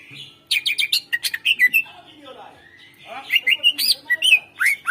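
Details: A greater green leafbird, used as a lure for silent birds, sings rapid ringing chirps and looping whistles in two bursts, with a softer murmur in the gap between them.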